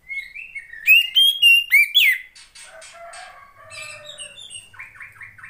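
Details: Female Oriental magpie-robin, whose calls are used to draw song from reluctant males: a brisk series of loud sweeping whistles over about a second and a half, then soft jumbled twitters and a low hum in the background.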